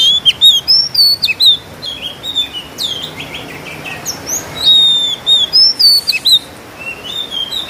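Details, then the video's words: Oriental magpie-robin from Kudus singing mimicked sparrow and kingfisher phrases: high thin whistles, short downslurred notes and clipped chips at roughly four per second, with a soft background hum. "KACER GACOR FULL NEMBAK ISIAN MEWAH ,GEREJA TARUNG TENGKEK"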